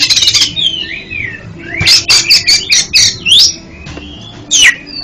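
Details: Oriental magpie-robin (kacer) song offered as therapy for stuttering kept birds: sharp buzzy rattles open, then slurred whistles and a string of short loud chattering bursts, ending with a bright downslurred whistle over faint background hum.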